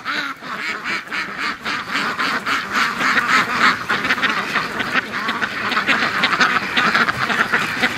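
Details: A flock of domestic ducks being called down to a lake on a mild, damp, rainy morning; rapid, loud quacking from many birds, about three calls a second, swelling toward the end.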